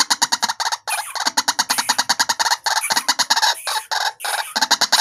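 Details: Tame white-breasted waterhen raised from a chick, calling at any time: dense, loud, rapid harsh croaking pulses, rhythmic and continuous with brief pauses.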